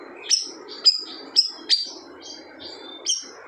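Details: Siri-siri bird giving short bursts of its loud song, described as overpowering other birds: a few sharp, high whistled strokes with pauses, over a faint low murmuring background.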